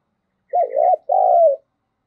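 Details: Spotted dove coo for luring, 'giọng thổ' style, meant to make other doves call: one low, hoarse two-part phrase, a short dipping note and then a longer level note that sinks slightly at the end.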